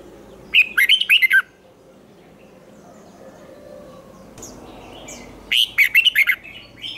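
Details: Red-whiskered bulbul trained for fighting-song contests, with a 'twisting voice'. A short, loud phrase of about six rapid, chirpy notes is repeated after roughly five seconds of near silence with faint background noise.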